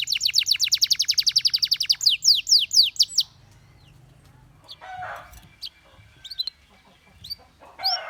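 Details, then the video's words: A canary delivers a fast, loud trill for about two seconds, then four drawn-out downslurred whistles, after which the song fades to soft scattered chirps and faint low sounds. "Canary Singing Bird Sounds"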